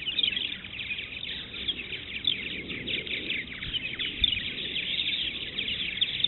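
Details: Purple martins at the Maurice River chatter nonstop in a dense chorus of overlapping gurgling chirps and creaky twitters from many birds at once, with faint low background rumble.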